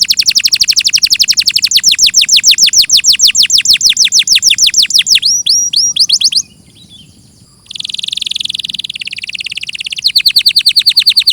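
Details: Canary in a clear tutor recording with a long, very fast high trill of falling notes and a brief silence. A buzzy rattling roll follows, then renewed quick trilling.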